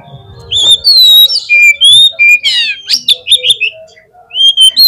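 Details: An Oriental magpie-robin sings loud, varied whistled phrases, some sliding and some buzzy, in rapid bursts with brief pauses between them; a singing lure recording meant to make kacer perform in the contest field.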